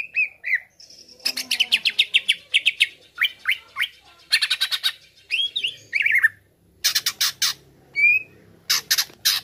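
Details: Excited greater green leafbird on a baiting track meant to agitate listening birds, mixing harsh buzzy squawks with short slurred whistles in stuttering, uneven bursts.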